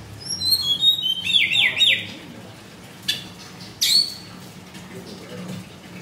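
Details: White-rumped shama singing energetically in a cage at a bird shop in Kemayoran, Jakarta, Indonesia. Quick descending high notes run into a buzzy, wavering phrase, followed by two isolated sharp bursts over a low hum.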